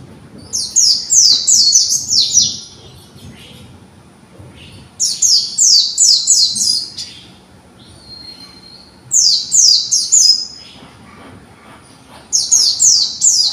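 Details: Young white-eye learning its sound and song: four separate bursts of rapid, high, falling twittered notes, roughly every four seconds, with a soft level whistle in one gap.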